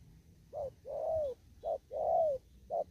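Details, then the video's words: Spotted dove in an upland field giving 'thúc gù' style cooing: three soft hooting phrases, each a short note followed by a longer, slightly rising-then-falling coo, with a low rumble underneath. "Cu Gáy. Đồng thúc gù."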